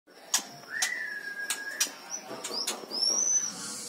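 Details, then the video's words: A stone magpie raised at home gives a long level whistle, then sharp clicking notes and a high, rising whistled phrase, with a faint steady high hum behind. "Stone Magpie sounds"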